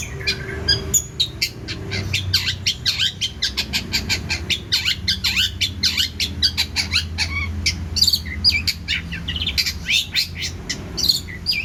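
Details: Long-tailed shrike pouring out song rich in varied phrases: a long, rapid stream of harsh, squawky and chattering notes with scattered thin whistles.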